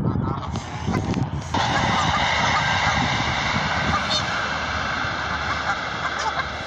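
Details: Canada geese honking in a dense, continuous chorus of overlapping harsh calls, steady and loud throughout, with a broad noisy background rumble.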